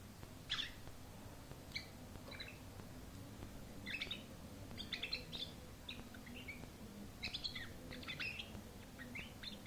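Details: A singing canary gives scattered bright chirps and quick twittered notes, some clustered into short bursts, against a faint constant low rumble.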